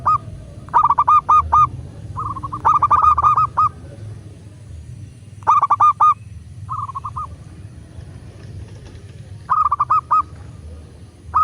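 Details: Local zebra dove, master recording for prompting captive doves to call: loud rolling coo phrases of four to six quick notes, repeated about every two to four seconds, with softer drawn-out coos between.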